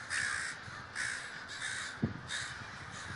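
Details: Crows at a large communal gathering in Davis, California, giving loud raspy caws about every half second to second, four or five strong calls over a background of many fainter cawing birds and one sharp thump.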